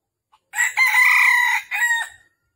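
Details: Red junglefowl recorded in Vietnam while being trapped on the morning of 13 December 2021. It gives a single full crow: a clipped first syllable, a long loud rasping middle, and a short dropping final note.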